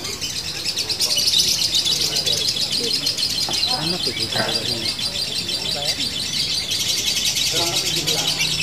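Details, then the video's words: Female lovebird sings a long, unbroken run of shrill, buzzy high-pitched chattering in the fighter locked style, with music throughout. "Lovebird betina fighter ngunci!!! pitbull jedanya gak kalah ama burung konslet"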